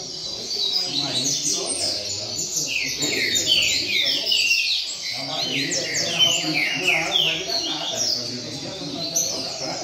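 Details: Double-collared seedeater in a bird circle delivering its rain song: a long, continuous run of crisp, falling whistled notes, several per second, pausing briefly midway, with faint talking behind.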